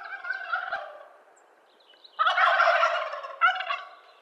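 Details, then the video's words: Wild Turkey gobbling in eastern North America: a loud, rapid, rattling gobble burst after a softer opening phrase, ending with a brief second gobble. "Wild Turkey Gobble"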